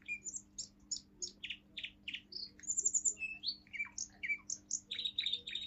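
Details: Young male Russian singing canary, seven months, pure singing line, in its forest tune: evenly spaced high chirps about twice a second, then varied whistles and buzzy notes.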